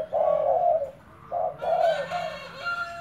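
A spotted dove gives low, hollow coos: one long drawn-out note, then a quick run of shorter rolling coos. Faint background noise underneath.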